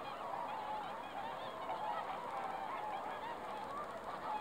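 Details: Swans on a lake shrouded in fog, December 20, 2016, producing overlapping hoarse honks and clearer wavering bugle notes, the chorus continuous and fairly even in loudness.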